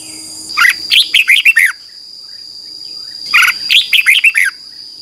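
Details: Red-whiskered bulbul morning song used to train wild-caught birds: two lively phrases of several quick, slurred, whistled notes separated by a short pause, above a constant thin high tone.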